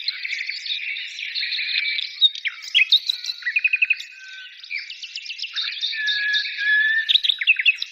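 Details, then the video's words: Birdsong made of varied chirps, buzzy warbles and a run of quick evenly spaced clicks, with several overlapping voices keeping up a lively, constant twitter. "birds singing"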